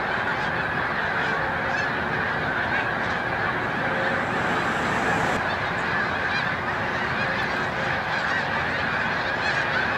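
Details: A migrating mass of snow geese at Montezuma, New York, 7 March 2022, near peak migration, keeps up a steady roar of countless overlapping high honks for ten seconds.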